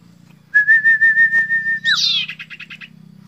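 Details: A sirtu bird calling out a rival, with a thick, clear voice, gives a long, steady, clear whistle on one pitch, then a falling buzzy note and a quick run of chattering pulses, over a constant low hum.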